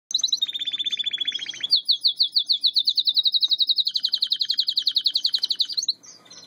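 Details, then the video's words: Russian canary singing: a fast low rolling trill, then a long, rapid, even series of bright high notes pulsing about three to four times per second, steady in pitch for four seconds, ending abruptly with soft chips. "Russian Canary 2"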